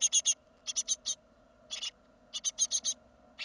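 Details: Great tit, second brood fledging from the nest in 2016: harsh, raspy broadband notes in quick bursts of three to five, with short pauses between groups, over a faint steady low hum.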